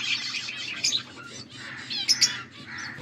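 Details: Pet budgerigars chirp and warble in a short burst, recorded August 14, 2024; scratchy chatter followed by two bright, high squeaks, over a low steady hum.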